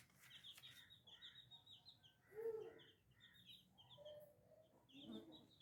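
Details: Baby chicks chirping in a group: steady high, short peeps repeated quickly and overlapping, mixed with lower murmuring tones and a louder mid-pitched squawk, recorded softly.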